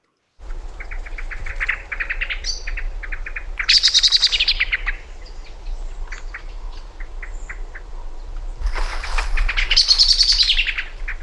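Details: Common blackbird, easily agitated, giving familiar calls: rapid, repeated sharp chucks and pocks rising into loud, scolding rattling bursts; steady background hiss.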